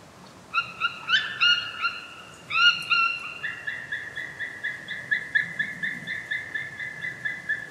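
White-tailed eagle: a few drawn-out, nasal yelping notes, then a fast run of sharp, high yelps about three per second. Otherwise quiet.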